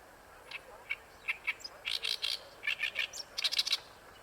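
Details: Ikeshima Oriental reed warbler singing: scattered harsh chips followed by clustered, gravelly repeated notes in short bursts, ending in a rapid scratchy flurry.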